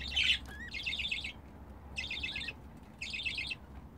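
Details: Pair of pet budgerigars during mating, heard as three separate bursts of rapid buzzy pulsed chatter, each lasting about half a second to a second, with one short rising whistle early on and quiet gaps between.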